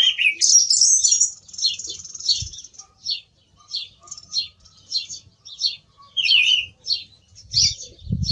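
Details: A singing song thrush: a long loud warbled phrase, then a rhythmic series of short high chirping notes roughly every half second, with a soft low thump near the end.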